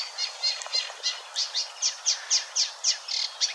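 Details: Eurasian Reed Warbler singing at Wetering West, Overijssel, in spring 2022: sharp high chirps and downslurred notes repeated about four times a second, forming a brisk rhythmic chatter.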